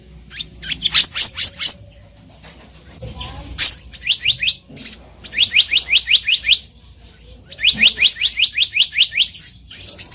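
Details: Black-naped monarch calling in the wild, recorded as a lure for trapping: long runs of rapid, high, downslurred chip notes repeated in series, interspersed with a few sharper metallic notes and brief gaps.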